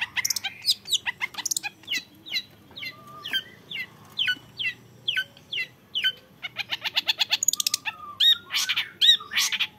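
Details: Singing young long-tailed shrike delivers a steady series of sharp downslurred notes about once a second, then bursts into dense, rapid, rattling trills and harsh high phrases.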